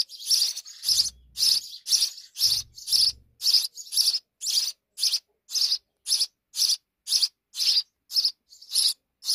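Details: Sparrows nesting in a wall give steady, regular chirps about two per second, with a few soft low thuds early on.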